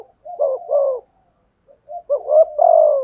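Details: Decoy spotted dove cooing in a Vietnamese 'thúc gù' pattern: low hollow coo phrases in two groups separated by a short pause, each with soft stepped notes ending in a longer drawn-out coo.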